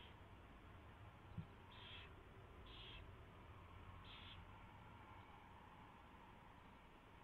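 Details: Owl at the nest in the early morning of 24 February 2016, 4:21 AM, as a mouse is brought and fed; three short harsh hissing bursts, then quiet hum, with a single soft tap.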